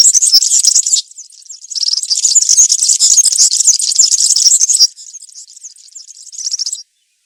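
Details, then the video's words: High, tinkling campero song of a European serin, the country style played for young serins to learn: a one-second burst of trilling, a short gap, a long three-second jangle, then a softer tail and final phrase. "𝗥𝗘𝗖𝗟𝗔𝗠𝗢 𝗩𝗘𝗥𝗗𝗘𝗖𝗜𝗟𝗟𝗢 𝗖𝗛𝗔𝗠𝗔𝗥𝗜𝗡 𝗖𝗔𝗠𝗣𝗘𝗥𝗢. 𝗘𝗗𝗨𝗖𝗔𝗥 𝗬 𝗠𝗢𝗧𝗜𝗩𝗔𝗥 𝗩𝗘𝗥𝗗𝗘𝗖𝗜𝗟𝗟𝗢. 𝗖𝗔𝗡𝗧𝗢 𝗖𝗛𝗔𝗠𝗔𝗥𝗜𝗡 𝗘𝗡 𝗘𝗟 𝗕𝗢𝗦𝗤𝗨𝗘"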